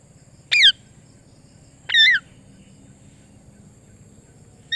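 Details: Pet parrot giving sharp wavering squawks, one about every second and a half, each brief with a quavering pitch and bright overtones, in quiet surroundings.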